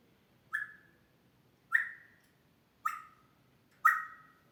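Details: Grey parrot kept as a pet, mimicking human sounds: four loud, sharp whistled notes, each starting abruptly and trailing off, about one second apart.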